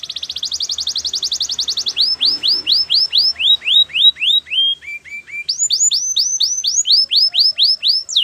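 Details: Canary training song opening with a fast, even rattling trill, then a long run of bright descending swept whistles that drops to a lower pitch, pauses briefly on short notes, and climbs back into more looping swept notes.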